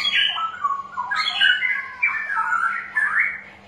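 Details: Straw-headed bulbul song used as a lure to stimulate birds reluctant to sing: loud, rich warbling phrases of liquid whistles sliding up and down, bubbling continuously with short bursts, over a faint steady low hum.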